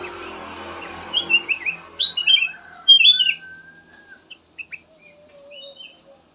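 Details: Kutilang emas bulbul singing a melodious song used as a lure for other birds: short bright whistled notes, slurred up and down, then sparser chirps and a long low whistle fading out.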